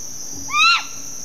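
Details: A Stygian owl (Asio stygius) in a garden in Zapata Swamp Biosphere Reserve, Cuba, gives one short, nasal, upward-sliding note over a steady high hiss of insects.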